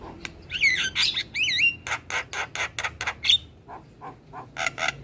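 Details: Very vocal Javan myna song opening with wavering, warbled whistles, then a steady string of harsh, rasping squawks about four per second, a brief bright whistle, and more scratchy chatter at the end.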